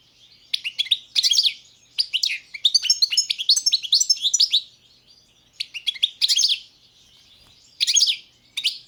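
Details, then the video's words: Goldfinch song from the Balkan race carduelis balcanica: fast, jangling, chattering phrases of high twittering notes in several short bursts separated by brief silences. The recording is clean. "Pesma štiglića, češljugara , grdelina, lokera carduelis balcanica"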